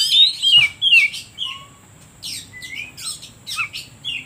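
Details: Oriental magpie-robin song for provoking other birds: bright downslurred whistles at the start, a low pure note, then scattered sharp chirps and short whistled phrases.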